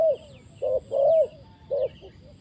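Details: Spotted dove used as a trapping decoy, brought down to the ground. Mellow, low hollow coos in a broken phrase: a short note, a pause, then a longer swelling coo and a final short one, with faint high chirps from other birds behind.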